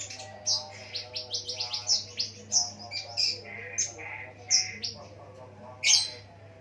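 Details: Ruby-cheeked sunbird with a lovebird-mimicking song, used to entice other sunbirds to sing: quick series of shrill, clipped chirps and squeaks, roughly two per second, with softer twitters between and a faint steady hum.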